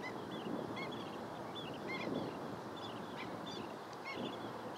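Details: Sparse high, squeaky long-billed dowitcher notes, single and paired, come through a strong rushing background with some low rumbling.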